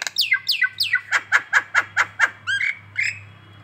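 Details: Collared kingfisher ngekek call in the morning, Indonesia: three downslurred squeals followed by a rapid run of about eight harsh, evenly spaced kek notes and two nasal ending notes.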